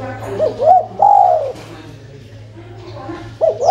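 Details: Spotted dove coo used as a lure to prompt other birds to answer: two short rising notes and a longer falling note, a phrase at the start and another near the end, over a steady low hum.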